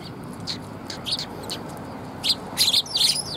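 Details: Sparrows coming for food at a Tenmangu shrine on 3 October 2021: scattered high chirps early on, then a louder cluster of quick twittering notes toward the end, over soft background rumble.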